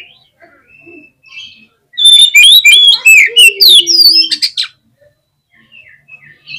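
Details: Agitated oriental magpie-robin (kacer) in a cage singing to provoke other birds: soft scattered whistles, then a loud rapid two-second outburst of sharp chattering notes and whistled slurs over a low steady tone, fading to quiet notes.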